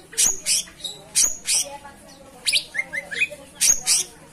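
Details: Cucak cungkok song of loud, harsh high chirps in pairs, mixed with a quick run of three short rising whistled notes midway.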